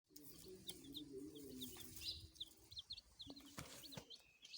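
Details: Baby chickens chirping: a steady stream of short, high-pitched peeps, many in quick succession, with a low droning hum underneath and a few faint taps.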